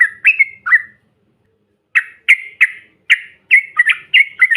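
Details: Bait recording of a yellow-vented bulbul for stirring up other birds: three warbled notes, a one-second silence, then a string of bright chirps that quickens into paired notes.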